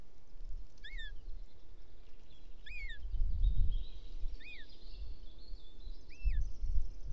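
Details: Begging Bonelli's eagle chick, Ports Natural Park, Catalonia, 19 June, asking its mother to help with a toad; four thin squealed notes, each rising then falling, spaced under two seconds apart, with low rumbles of wind or handling.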